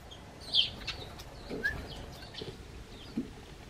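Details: A Eurasian tree sparrow on a garden bench calls to a man stepping out of his house: one loud bright chirp, then a short slurred note and faint soft sounds in a quiet yard.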